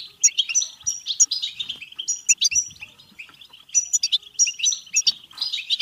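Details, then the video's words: European goldfinch song in the bebteh style, meant to spur goldfinches to sing and mate: fast tinkling twitters and buzzy notes in bursts, with short pauses between phrases. "بتبتة حسون فعالة و رهيبة لتحفيز الحسون على التغريد و التزاوج و الهيجان سيغرد دون توقف"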